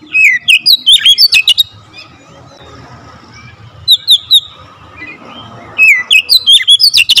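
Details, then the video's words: Oriental magpie-robin in energetic, tightly fired song with full variation of fill-ins: dense bursts of sharp whistles and trills, a short phrase of three clear notes mid-way, pauses of quiet hum between outbursts. "Kacer gacor nembak rapat full variasi isian"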